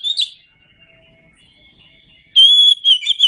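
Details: Kacer (Oriental magpie-robin) masteran song from Indonesia: a brief whistled fragment, then quiet with a faint thin tone. A loud, level, pure whistle follows, ending in a few clipped chirps.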